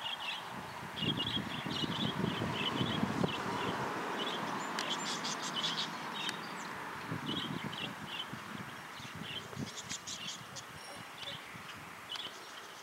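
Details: A pet cockatiel kept outdoors gives short, repeated chirping whistles over a steady low rumble of outdoor noise.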